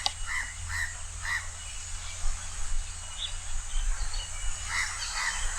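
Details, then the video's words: A house crow perched high at Changi Beach Park, Singapore, calls loudly: three short, harsh caws about half a second apart, then two more after a pause, over a steady low rumble of wind or surf. "HOUSE CROW Call"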